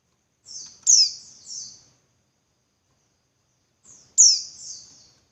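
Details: Female Javan white-eye giving calls to stir males into song; two bursts about three seconds apart, each a soft lead-in note, then a loud high downslurred chip and a thinner trailing note.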